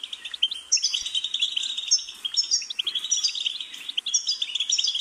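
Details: Continuous goldfinch twittering with buzzy trills and thin rising whistles interwoven, lively and fast throughout.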